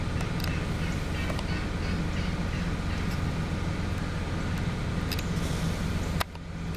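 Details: Idling vehicle drone with scattered clicks and a sudden drop in level near the end, no animal voices discernible.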